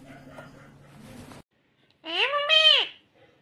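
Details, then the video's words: Green ringneck parrot speaking: a single loud, drawn-out, arching syllable with rich harmonics. It follows a quieter stretch of murmuring and hum, then silence. "Natural Sound of Talking Ringneck green parrot"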